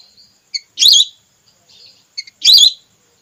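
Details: Lure call of a female whistling duck for hunting red or plain whistling ducks: two strong wavering whistled notes about one and a half seconds apart, each introduced by tiny high pips and soft whistles.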